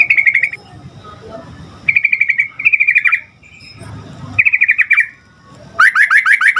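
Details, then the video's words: Sooty-headed bulbul in bright, frequent song meant to get other bulbuls replying: five bursts of fast rattling notes, the last climbing into sharper, more emphatic pulses. "Suara Trucukan Gacor Agar Burung Trucuk Cepat Nyaut"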